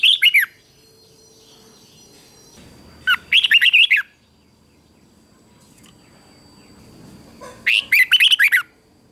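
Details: Red-whiskered bulbul in competition song used for training birds; three short bursts of rapid, slurred chattering notes about every four seconds, separated by quiet gaps with low background hum.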